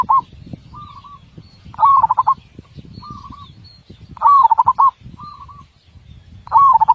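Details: Tutor song of a zebra dove with a big voice and tight rhythm: trilled, pulsing coo phrases about every two and a half seconds, with short level coos between them and a low noisy hum underneath.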